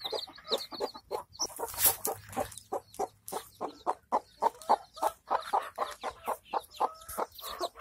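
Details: Hen with chicks in a village, feeding; steady, rapid clucking, roughly three notes a second, with scattered high chick cheeps at the start.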